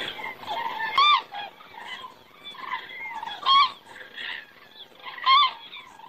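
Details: Common cranes flying by and circling in the evening sky in Estonia, 20 September 2017, around 18:03; loud trumpeting calls ring out about every two seconds over a softer background chorus of more distant cranes.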